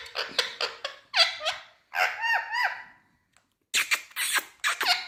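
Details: Green ringneck parakeet of India chattering in mimicked speech: buzzy, voiced syllables with gliding pitch, a short pause, then a quick run of sharp, crackly sounds.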